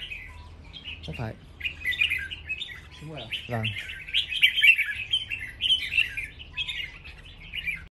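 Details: Competing Red-whiskered bulbuls in a singing contest, an unbroken stream of quick, high chirps and warbles repeated rapidly, overlaid by a few short human utterances near the start.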